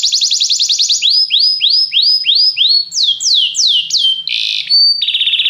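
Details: Canary singing a training song meant to spur another canary to sing: a fast rolling trill, then a run of slower downward-swooping whistled notes, ending in short buzzy tones.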